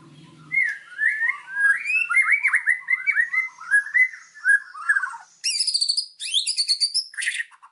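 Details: White-rumped shama singing a full, varied master song used to train songbirds: a short low buzz, then run of slurred whistled phrases rising and falling, ending in bursts of high, rapid chattering trills.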